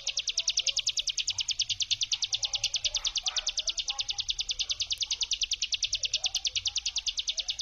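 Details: Prinia (ciblek gunung) performing the "brem" trill used as a lure: an unbroken run of rapid, metallic high pulses repeated at a steady pace for the whole stretch, over soft background murmur.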